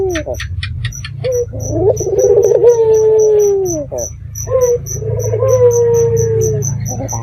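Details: Local red-eyed dove calling at night as a lure to draw answers from other doves: rapid rolling pulses, then long humming coos that fall gently in pitch, repeated twice with short gaps. Low hum and high regular ticks.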